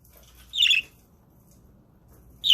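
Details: Budgies streamed on a live webcam: one scratchy, squawking chirp, quiet, then the start of another at the very end, with soft background hum.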